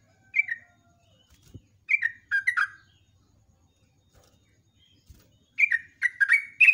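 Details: In this morning lure recording, a yellow-vented bulbul sings short bubbly chirped phrases separated by pauses, ending in a quicker warbled string of notes.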